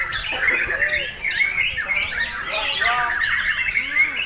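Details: White-rumped shama kept for breeding, singing continuously, recorded 26 September 2021; sharp whistles and quick sweeping notes over a chorus of chirping birds, with a man speaking briefly.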